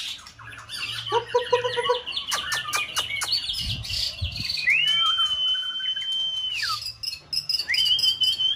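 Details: White-rumped shama in full-season plumage singing a many-voiced competition song used to stimulate another bird, with fast varied chatter and clicks, then a long steady high whistle, rising notes, and a few low thumps.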